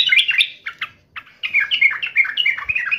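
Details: Yellow-vented bulbul answering a rival with quick bubbly phrases: a burst of rolling notes, a short gap, then a steady string of bouncing liquid notes to the end.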